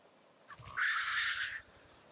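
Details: Displaying black grouse at a lek: one harsh, breathy hiss lasting nearly a second, preceded by a short soft note, with faint low fluttering thuds underneath.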